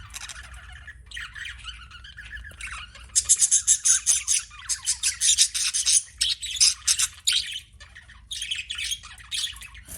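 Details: Budgie twittering softly at first, then a run of loud, rasping, rhythmic chirps repeated several times a second, easing back to quieter chatter.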